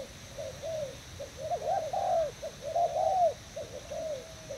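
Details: Spotted dove of Thai stock, a decoy bird, recorded 18 June 2018: a series of soft arched cooing notes, some short and some drawn out, grouped into phrases over a quiet steady background hum.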